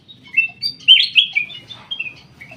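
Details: Caged black-crested bulbul in an aviary delivering a fast run of clear, slurred whistled notes, rising and falling, with a brief bright flourish in the middle.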